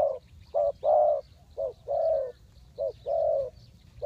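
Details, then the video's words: Close spotted dove coo, used as a lure for trapping wild birds: deep, hollow notes alternating short and long in a steady rhythm, with soft twittering of other birds overhead. "Tekukurpikat,นกเขาใหญ่สายต่อดิน,The Sound Of dove"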